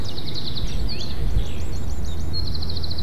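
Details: White-tailed eagles at a spruce nest under 20 m high in Ķemeri National Park, Latvia, on 1 May 2024 around 10:04, give rapid bursts of high, thin yelping notes, several in three seconds, over a steady low wind rumble.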